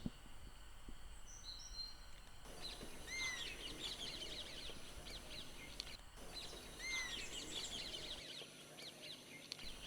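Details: Oriental honey buzzard calling in the background at Tadoba-Andhari Tiger Reserve on 30 April 2020. Two clear whistled, upslurred notes come about four seconds apart, over busy chattering of other small birds.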